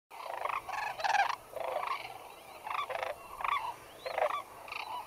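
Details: White-naped cranes at Junam Reservoir, South Korea, feeding in fields and flying overhead. Loud, harmonic, trumpeting calls come in bursts about every half second, with short pauses between groups of notes.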